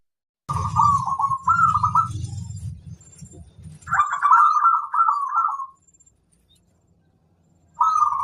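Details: Local zebra dove in vigorous song: two rolling, warbling cooed phrases over a low buzzing drone, a long silence, then another phrase begins.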